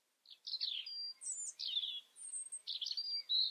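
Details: Short bout of European robin song: clear high whistles alternating with scratchy warbled notes in quick succession.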